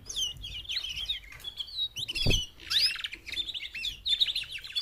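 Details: Female canaries, four birds together, calling to motivate males to sing in a mating context; busy overlapping high twitters and short slurred whistles with quick trilled runs, continuous throughout, with one low thud near the middle.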